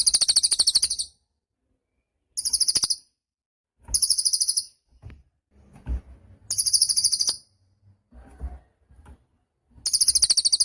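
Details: A cililin singing actively, for use as master song: short shrill trills of rapid sharp notes repeat about every one to two seconds, with soft knocks and low rustles in the gaps.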